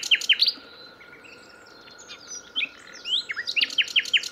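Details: Live nightingale delivering loud upslurred notes in a quick opening burst, a quieter stretch of scattered thin whistles, then a fresh run of sharp rising notes, over a steady background hum.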